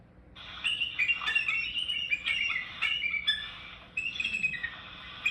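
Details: Bald Eagle's actual call, described as a cackling laugh and often replaced in media by a red-tailed hawk scream: a high, thin, chittering series of piping notes rising and falling in quick bursts, with faint background hiss.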